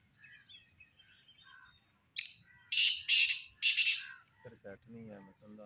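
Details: A black francolin gives one sharp note and then three loud, scratchy, buzzing syllables, while faint twittering birds precede it and a low harmonic voice-like sound follows.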